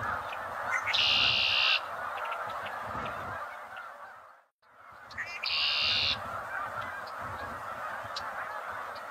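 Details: Red-winged blackbird (Agelaius phoeniceus), song.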